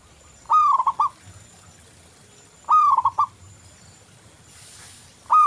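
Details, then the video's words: Local zebra dove song, used as a lure: two loud stuttering coo phrases with sharp broken notes, about two and a half seconds apart, a third starting at the end, with quiet gaps between them. "Perkutut lokal Gacor Anti Galau"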